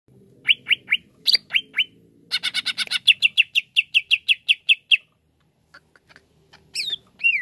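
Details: Greater green leafbird, kept as a songbird, singing a varied phrase: downward-slurred whistles, a burst of dry rattling chatter, then a fast run of about a dozen sharp repeated chips, ending with rising squeaky notes.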